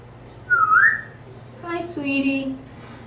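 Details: Pet African grey parrot, hatched June 15, 1997, living in a Texas home and watching squirrels outside. A rising whistled note comes first, then a short run of voiced, speech-like syllables in a small room.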